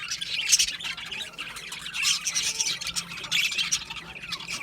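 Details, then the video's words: Budgies give loud surges of raspy warbling with shrill squawks and sharp chirps, three stronger bursts separated by softer chatter. "Cute Budgies chirping Sounds | Budgies relaxing Sounds"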